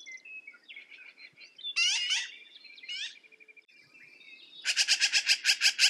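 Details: Mixed harsh squawks and scratchy notes from a black-billed magpie, ending in a loud rattling run of about ten rapid rasping pulses.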